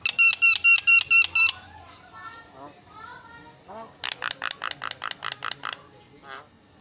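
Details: Javan myna (jalak kebo) singing, presented as a very noisy master song for training cage birds: a loud fast series of harsh, harmonic-rich notes, a pause with softer squeaky slurs, then another rapid harsh burst of about ten notes.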